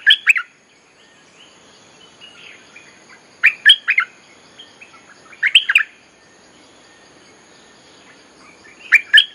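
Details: Streak-eared Bulbul lure song used to call wild birds, with short bubbly bursts of chirped notes repeated about every two seconds and quiet gaps between them.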